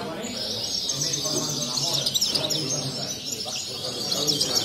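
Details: Caged European goldfinches at a bird singing competition in Sant Joan Despí (Las Planas, Barcelona), Spain, 23 November 2019: dense, continuous high twittering and jingling phrases throughout, with murmured human voices and hall noise beneath.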